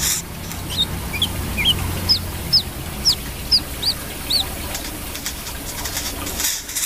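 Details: Brown-throated sunbird singing lively: a series of short, sharp, high whistled notes, each slurring up then down, repeated about twice a second, over steady low background hum.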